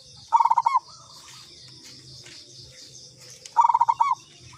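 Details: Zebra dove of the local katuranggan type used as a lure, sounding two quick trilled phrases of clipped, bubbling coos about three seconds apart against a constant high-pitched buzz of insects.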